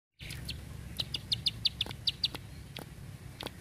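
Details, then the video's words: Bar-winged prinia, a master song for training birds, in a long, tight burst style. A short run of sharp, high ticking notes comes in quick succession, with fainter clicks before and after. Low background hum. "Ciblek Sawah // Prenjak Klik // Tembakan Panjang Rapet Ciblek"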